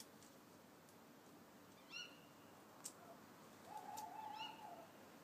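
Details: Garden owl giving a short, sharp rising squeak, then a level hooted note lasting about a second, with faint clicks and a steady background hiss.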